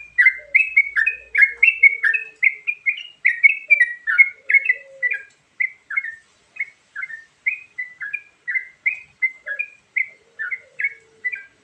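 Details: Yellow-vented bulbul pouring out a varied song used to attract birds, with dense bubbly chirps at first that thin to evenly spaced slurred notes, plus faint low notes underneath.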